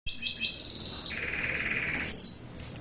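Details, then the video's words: Domestic canary singing: rapid high trills and a long sustained buzzy roll at a lower pitch, ending with a sharp descending whistle. "The sound of a very sweet canary bird was heard"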